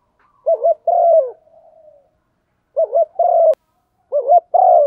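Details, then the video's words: A female spotted dove calls to urge a male, a sound used to lure wild doves. Three phrases of two short wavering hoots and a longer descending coo are heard, with a sharp click partway through. "Tiếng chim cu gáy MÁI kích trống, chim cu mái thúc gù"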